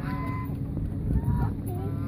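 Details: Hungry geese approaching people at Mueller Lake park in Austin, Texas, giving a few short nasal honks that slide slightly in pitch, over a steady low rumble of traffic or engine noise.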